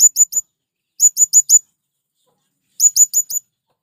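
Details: Calling male blue-crowned hanging parrot, used to attract wild birds: three clusters of three or four very high, sharp tseet notes, each cluster roughly a second apart.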